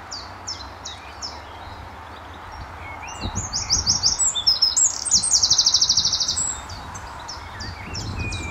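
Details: Eurasian wren answering a nearby neighbour across territories, early morning at Standalone Farm, Letchworth, March 2014: soft, distant-sounding high chips, then a loud burst of piercing notes and a long rattling trill before fading back.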